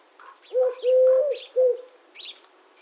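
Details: Eurasian collared dove (Streptopelia decaocto) cooing one three-part phrase, a brief note, a drawn-out level coo and a clipped final note, with soft higher bird twitters behind it.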